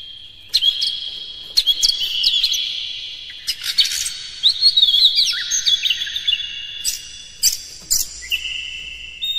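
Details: Oriental magpie-robin singing in a lure recording used to provoke other magpie-robins into song and tail-spreading. Sharp clicks and bright whistled notes over a steady high trill run throughout, with several loud accented bursts.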